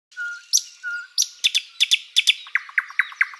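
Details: Flycatcher song used as a tutor recording for training birds: sustained thin whistles give way to a rapid, accelerating series of sharp, clipped chirps, each note repeated quickly and evenly toward the end.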